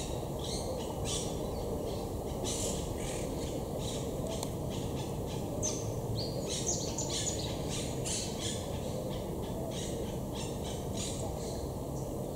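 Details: Wild monk parakeets high in trees in Estepona, southern Spain, in October 2021, courting and gathering nest material for their large communal nests. Rapid, harsh, scratchy squawks and chatter continue throughout over steady low background noise.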